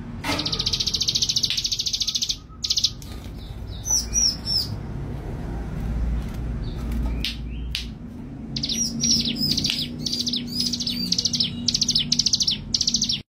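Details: Bold, vigorously singing male Mountain blue robin: a high rapid trill opens, then varied sharp chirps and quick twittering note clusters, over steady low-pitched background hum.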